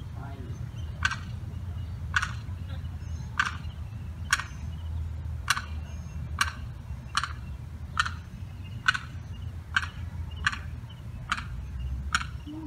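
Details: Distress calling of a lost limpkin chick on July 4th, unable to get under a fence to reach its mother and sibling. About a dozen short, sharp notes repeat steadily at roughly one-second intervals over low hum.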